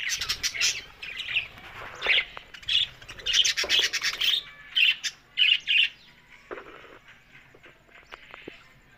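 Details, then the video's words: Budgerigars on October 1 give separate bursts of scratchy, high squawks and chirps, roughly one or two a second. The calls die down to soft, scattered ticks in the last few seconds. "Beautiful Budgerigars Talking"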